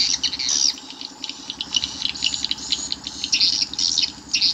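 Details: Swiftlet calls used to attract swiftlets to a nesting house: overlapping high, scratchy chittering notes in quick irregular bursts, with a steady low buzz in the background.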